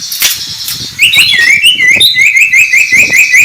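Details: White-rumped shama singing in the morning: after a second of noisy chatter, a fast series of rising whistled notes repeats about twice a second, with higher overtone-like squeaks above.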